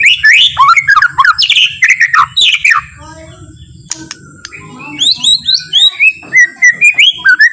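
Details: White-rumped shama's gentle provoking song: loud rolling whistled phrases, a quieter pause with soft notes, then a renewed run of bright rising and falling whistles.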